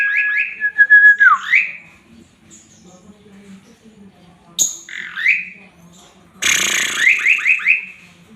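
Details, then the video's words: Active male Asian pied starling, its song rich in fills and used to train other songbirds: a level whistled trill dropping into a slurred squeal, a high chirp, then a noisy burst and a quick run of squeaky rising notes. "JALAK SUREN GACOR JANTAN FULL ISIAN"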